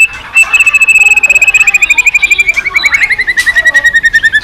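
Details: White-rumped shama delivering a long, fast train of pulsed notes that slowly falls in pitch over four seconds, ending in a rapid rattling series.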